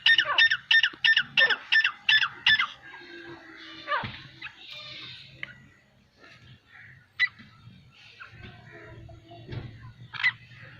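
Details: Francolins (teetar) in a group of nine calling naturally: a burst of rapid, evenly repeated harsh notes for under three seconds, followed by quieter scattered calls and a low background hum.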